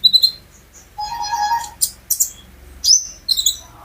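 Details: Owned brown-throated sunbird singing to prompt other birds; a few high squeaky chirps, a steady lower whistled note about a second long, then sharp bursts of twittering.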